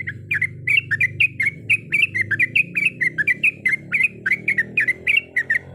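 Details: Female sooty-headed bulbul calling the male with a rolling song of varied sounds: sharp, bright, whistled chirps in quick succession, each note clipped and ringing, above a low humming background.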